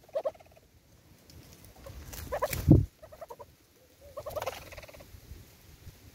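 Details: Southern red-billed hornbill at a bird feeder in South Africa giving bursts of hollow, clucking notes in quick series, with a loud thump and faint rustling in between.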